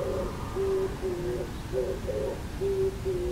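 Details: An Oriental turtle dove perched on a neighbourhood antenna gives its breeding-season song on 10 April 2022: a low, hoarse, rhythmic cooing phrase heard as "gugu-hohho", over a faint hum.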